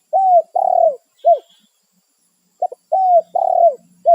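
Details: Territorial spotted dove calling its companions in the wild, giving two loud coo phrases of arched notes, a longer buzzy middle coo, then a shorter final note, repeated after a pause.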